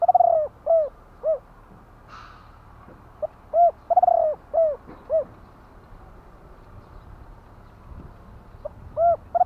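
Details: Spotted dove, a Thai caged calling bird, giving low hollow cooing phrases of two to four rounded coos, repeated with pauses over steady low background hum.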